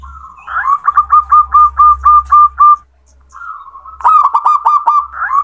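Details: Calling male zebra dove: a rhythmic string of short, bubbling coo notes at a steady pitch, a brief silence, then a softer drawn note leading into another fast burst of repeated coos.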